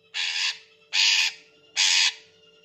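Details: Green leafbird, a bird prepared for contest hanging, used as a bait sound: three loud harsh rasping squawks, each about half a second, evenly spaced under a faint steady hum.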